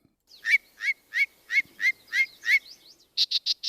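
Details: A Yellow-breasted Chat, hidden in a tangle of briers, gives seven harsh, chuckling notes about three per second, then four quick, dry, higher cackles.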